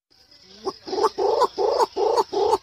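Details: Lure recording of a green imperial pigeon, played to attract pigeons: a rapid run of six or so deep, rough pulsed notes roughly two and a half per second, with a constant thin high-pitched tone underneath.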